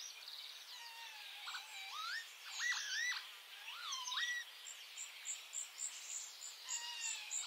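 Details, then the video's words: Bluethroat song in May from the white-spotted subspecies cyanecula: varied phrase with lower swooping whistles and rising slurs, mixed with high chips and a trailing series of short high ticks. "A Bluethroat (Luscinia svecica cyanecula) song in May"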